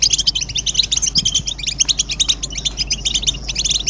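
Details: Group twittering of European goldfinches meant to prompt males to sing: rapid bright chirps stacked in bursts, rising and falling in loudness about twice per second, with soft thuds in the background.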